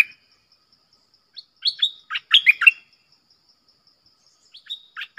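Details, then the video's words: Red-whiskered bulbul singing a clear, pleasant 'double' style song used as a lure sound: short bursts of bright whistled, warbling notes around two to four kilohertz range, a phrase of several quick notes, then a pause and a shorter phrase. "เสียงนกดอกแตงEp.97 Birdsound เพลงเบิ้ล/เสียงใสน่าฟังSuara pikat merbah lekir"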